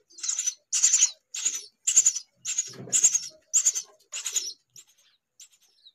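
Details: Hungry baby myna: eight loud harsh hissing rasps spaced about half a second apart, then a few faint thin notes as calling dies away.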